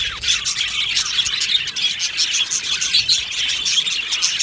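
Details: Aviary flock of budgerigars in full chatter: busy, high-pitched twittering from many birds, quick chirps and rapid warbling blending into one constant stream.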